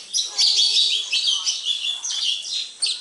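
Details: Sparrows kept coming to a house give rapid, overlapping high chirps and twitters, a busy unbroken chatter with sharp notes near the end.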